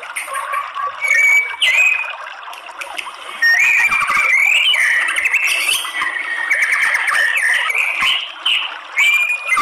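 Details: White-rumped shama song used as a lure to provoke males into fighting song: loud, varied whistled phrases, some rising and some sliding, run together over a dense hiss of background chatter.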